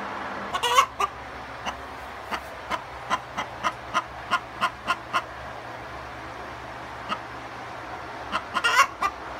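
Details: Hens giving their egg song after laying an egg: a steady run of short, sharp clucks about four per second, bracketed by louder, rougher cackles at the start and end.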